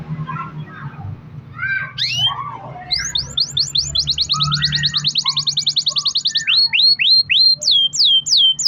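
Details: Canary song played to stir other canaries to sing: scattered chirps and murmurs, then a long fast even trill and a run of loud repeated swooping notes.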